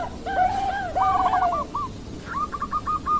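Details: Bangkok-line zebra dove, Indonesia, 16 October 2023: a few drawn-out, purring coos followed by a quick run of short higher notes, partly masked by steady background noise.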